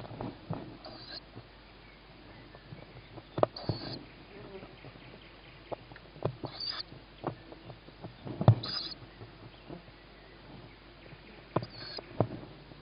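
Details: Young tawny owl begging as its mother arrives with food, 21 May 2017 at 21:38, a sibling fed first on the roof. Short wheezy hiss calls repeat every few seconds over scraping, shuffling and thumps in the nest.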